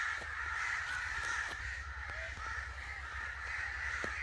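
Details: Many angry crows cawing at once. Harsh, grating calls blend into an unbroken wall of sound, with a faint low hum throughout.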